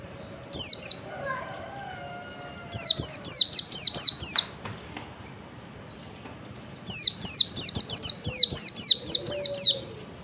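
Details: Oriental white-eye, yellow-breasted form, in morning 'ngalas' wild-style song used to stir silent white-eyes: three bursts of rapid, high, falling chip-whistles, with a faint lower drawn-out whistle from another bird between them.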